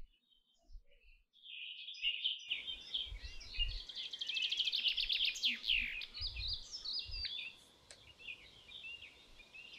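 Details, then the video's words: Canary in song, starting with a lone whistled note, then a dense rolling trill and chattering high notes over background hiss and low knocks. "Canary Singing: The Most Beautiful Sounds of Nature | canary | Canary tweet"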